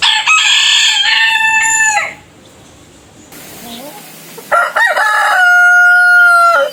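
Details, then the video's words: Two rooster crows from a compilation of different roosters: a loud, harmonic cock-a-doodle-doo lasting about two seconds, a quiet pause, then a second rooster's longer crow ending in a drawn-out, steady note. "Rooster Crowing - Rooster Sound Effect - Gà Gáy - Gà Trống - Tiếng Gà Gáy - Con Gà Gáy"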